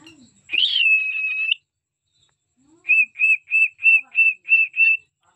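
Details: Cockatiels kept as pets whistle a song: one drawn-out high note with a quick rise at its start, then after a gap a run of seven short, level whistles in steady rhythm.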